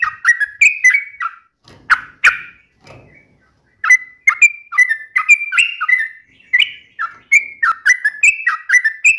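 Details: Trucukan bulbul gacor song with ropel runs: a few liquid whistled phrases, loud burst notes and a short gap with faint low sounds, then a fresh run of quick slurred whistles.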